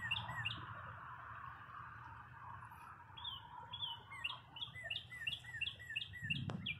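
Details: Birds chirping in spring at a parking lot after many cold days: a series of short, high, repeated chirps about twice a second, with a low steady hum and broadband background noise beneath and a brief sharp knock near the end.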